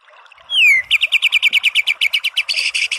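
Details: White-rumped shama song, a masteran recording of a gacor (actively singing) bird: one loud, high whistle sliding downward, then a fast, even series of about fifteen sharp, clipped notes repeated several times per second.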